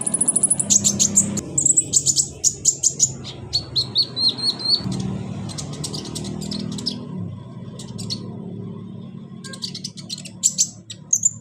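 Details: Caged sunbird, locally called kolibri ninja, singing thin, very high chirps in rapid bursts, with a short level whistled phrase and pauses, over a steady low background hum.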